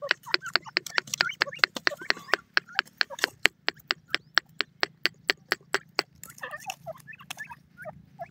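A loud series of sharp, ringing notes, about two or three a second, from a grey francolin pair, with harsher scratchy notes near the start and end.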